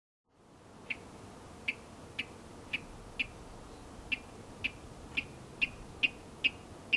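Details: A male Virginia rail gives its courtship call at a pond and wetland edge near Corvallis, Oregon: repeated sharp, clicking 'kik' notes, about two per second, steady and fairly high-pitched, over faint background hiss.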